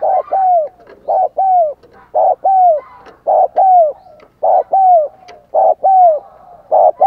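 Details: Spotted dove decoy cooing to stimulate wild doves: clear two-part coos, a brief note followed by a drawn-out falling one, repeated about every second in an even rhythm.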